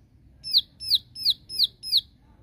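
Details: A bar-winged prinia calling to challenge a rival gives five sharp, high, downslurred chips in quick, even succession, about three per second, over a faint low rumble.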